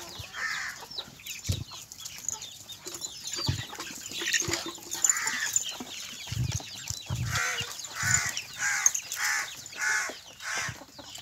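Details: Kadaknath roosters (males) near Erode, India, giving hoarse, drawn-out crows amid a steady background of clucking.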